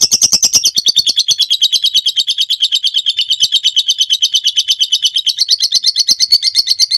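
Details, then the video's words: Master recording of a lovebird's long ngekek: quick high chirps open, then an unbroken rattling trill runs steadily for about six seconds, rising slightly toward the end. "Suara masteran burung lovebird ngekek panjang"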